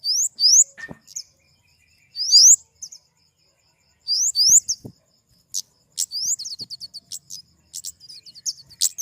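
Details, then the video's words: ['Flowerpecker giving thin, very high rising chirps in short clusters about every two seconds, then a faster run of sharp ticks and quick upslurred notes near the end; quiet background.'] "Suara burung kemade"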